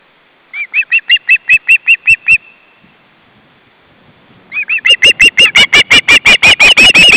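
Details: Osprey chicks in a nest in Estonia, with both parents present, dated 29 August 2012. The calls are series of clear, slightly upslurred whistled chirps: about nine evenly spaced notes, a pause, then a faster, louder run of about sixteen.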